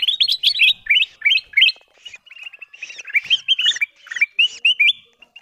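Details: Bulbul known locally as kutilang emas, lure recording used to call in wild birds: rapid strings of clear, rising chirps and warbled notes, clustered in irregular bursts over about five seconds, clean background.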